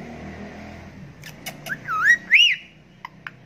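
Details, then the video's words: Talking Indian ringneck parakeet: a few soft clicks, then a clear whistled phrase of looping notes rising to a loud high arc, ending in two short sharp clicks. "ASALAMALAKUM BOLNE WALA TOTA | BEST TALKING PARROT"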